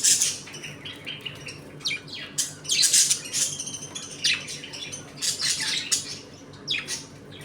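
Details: Budgerigars in a home colony, eating, playing and fighting: a dense mix of scratchy chirps, squeaks and warbled chatter from several birds overlapping, with a soft steady background hum.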